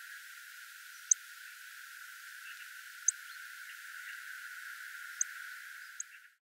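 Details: A little bunting (Emberiza pusilla) gives four sharp, high 'tsik' calls, between a robin's tick and a song thrush's flight call in sound, spaced about two seconds apart over a steady soft hiss.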